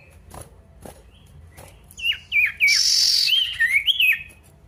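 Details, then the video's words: Energetic male pied bush chat calling out a rival: faint ticks at first, then a rush of quick looping whistled notes, a loud harsh rasping burst, and wavering whistles. "PANCINGAN SIRTU GACOR MANGGIL LAWAN"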